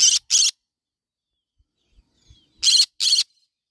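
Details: Raspy double screeches of a yellow-sided conure parrot, one pair at the start and another after a two-second gap with faint clicks between.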